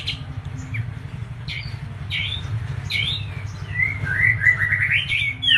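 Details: White-eye from Medan, Indonesia, locally kapas tembak, singing scattered short chirps that build into a rapid, rolling run of twittering notes near the end, over a constant low rumble.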